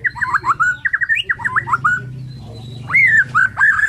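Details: Morning song of a Borneo white-rumped shama: fast sequences of varied whistled and warbled notes jumping up and down, a short pause, then rising clear whistles, over a low background hum.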